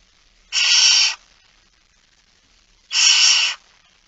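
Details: Two drawn-out raspy hisses, each over half a second, about two seconds apart, from a barn owl with a mouse at 06:11 on 17 September 2019, in otherwise quiet surroundings.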